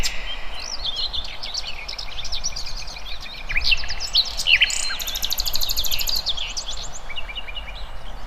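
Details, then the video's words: Busy chorus of wild birds: many overlapping high chirps, slurs and twitters from several singers, with a faint thin trill in the background and low outdoor rumble. "Kicauan Burung"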